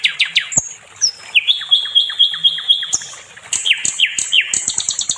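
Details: Nightingale (sikatan londo) in a songbird training recording: varied chips and sliding whistles, a steady warbled trill, then a series of quick falling whistles and sharp high clicks.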